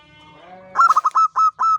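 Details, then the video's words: Zebra dove, a local champion perkutut singing freely: after a faint low hum, a quick cluster of cooing pulses opens into three longer, drawn-out coos. "SUARA BURUNG PERKUTUT JUARA GACOR NGANCING"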